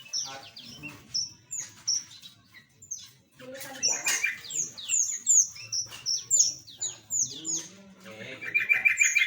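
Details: Mixed small aviary birds in a busy chorus of sharp, high chirps and short downslurred notes, several callers overlapping, ending in a fast rattling trill.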